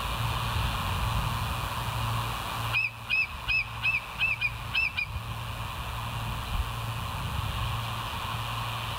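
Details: Bald eagle on a West End live cam, morning of 31 August 2023: a quick series of about seven short, high, sharp chipping notes delivered in roughly two seconds, set against continuous low-frequency rumble.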